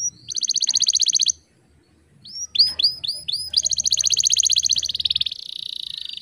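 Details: Female canary used to stimulate young male canaries to sing quickly: a rapid high trill, a short pause, five slurred rising-falling notes, then a long fast trill that turns lower and buzzier.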